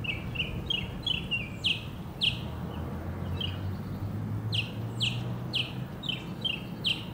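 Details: A northern mockingbird (Mimus polyglottos) sings in Hermann Park, Houston, Texas: bright, high chirping notes, each repeated several times in quick runs before switching, over a steady low hum of background noise.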